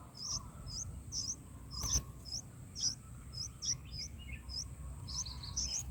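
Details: Bulbul nestlings fed in their nest, day four; high piercing chirps repeated about twice a second, some doubled, with a brief click and soft background hiss.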